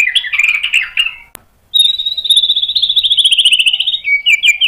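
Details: Agitated white-rumped shama provoked into singing its mimicked material: a chattering warble, a brief silence, then a long, high, fast rattling trill lasting over two seconds, closing with lower notes.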